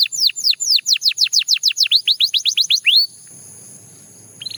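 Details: Belgian canary singing about three seconds of repeated sharply falling notes, ending in a rising slur, followed by quiet and a faint final note.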